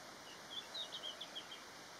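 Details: Male red-flanked bluetail perched on a branch, calling on 13 December 2021: a faint, quick phrase of high, thin chirping notes lasting about a second, over a quiet, hissy background.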